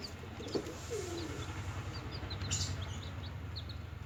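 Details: Small newly hatched chicks making noise while feeding. Thin, high chirps are scattered irregularly throughout, along with one lower, drawn-out sliding note early on. A constant low hum runs underneath.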